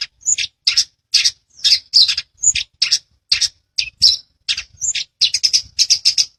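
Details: Cendet, the long-tailed shrike, singing gacor with dense rolls as a master recording for training birds: steady run of short, scratchy high notes, about two or three per second, some with a brief whistled flick on top.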